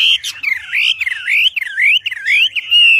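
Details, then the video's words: Wambi singing loudly and clearly, meant as master song for teaching birds: rolling, slurred whistles that swoop up and down in quick succession, broken by short sharp notes, with faint low knocks in the background. "Wambi Gacor Cocok Untuk Masteran Suara Lantang dan Keras"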